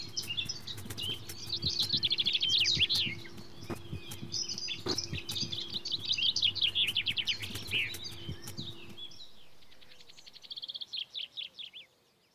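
Young red kites give thin, high chittering calls in quick trilled runs, over a low steady hum that stops near the end.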